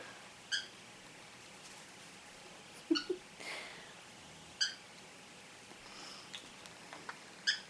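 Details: A pet male cockatiel gives brief, sharp harmonic chirps spaced a few seconds apart while defending his mirror, his favourite toy, as a spoon and a person's finger approach it.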